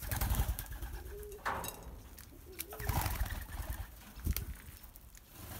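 Two soft, low, rolling coos of a ringneck dove about a second and a half apart, over rustling, thumping and low background rumble.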